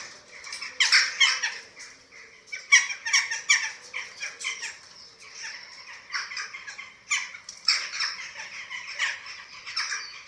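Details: Eurasian eagle-owl at a nest in Germany, filmed by webcam on 27 March 2024 while chicks are fed. Bursts of loud, grating hissing calls come in uneven clusters with short quiet gaps between them.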